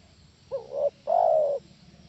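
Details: Spotted dove calling, a sound played to draw answering doves: a quick rising double note, a short pause, then one long mellow coo that slowly drops in pitch, against soft background rumble.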